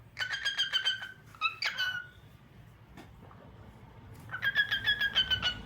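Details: Cockatiel singing indoors: rapid bursts of short harmonic chirps repeated about three per second, a pause with faint ticks, then another fast chirping run.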